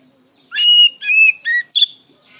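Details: Oriental magpie-robin in ngeplong style song, a lure for young untrained birds: three clear whistled notes, each slightly lower than the last, ending in a sharp bright chirp, with faint background hum.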